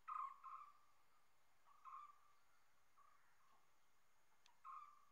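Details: Common hawk-cuckoo uttering a pair of quick loud whistles, then single whistled notes after pauses, with a faint click and soft background noise between calls.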